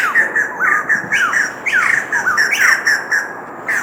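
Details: Two white-crested laughingthrushes, an introduced resident, in Rifle Range Nature Park, Singapore, in June 2024, give loud, chattering calls of rapid squawky mid-pitched notes with rising and falling slurred phrases tumbling almost continuously.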